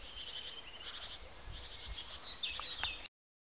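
Nuthatch giving quick, high, thin chirps in short clusters over a steady high hiss, possibly insects, with faint outdoor background noise.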